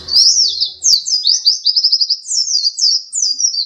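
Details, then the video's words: Pleci dakun white-eye, champion runner-up, singing a continuous stream of shrill, thin whistled notes, a quick trill in the middle and bright downward slurs to the end. "pleci dakun macok juara 2 gacor dor"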